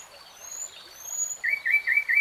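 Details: A brief stretch of nightingale song: thin high whistles, then four clear repeated notes in quick succession.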